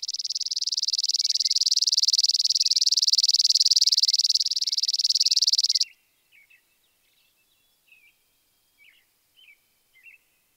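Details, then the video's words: Small Spizella sparrow gives a long, even, mechanical trill for about six seconds, followed by a few faint, short chip notes spaced a second or so apart. "Sounds of Spizella, Sounds of the Common Sparrow Bunting"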